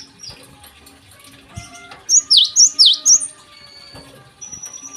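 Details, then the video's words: Short morning phrase from a Java sparrow: four bright, dipping, bell-like notes in a row, preceded and followed by faint background chirps and soft hum. "gelatik gacor di pagi hari"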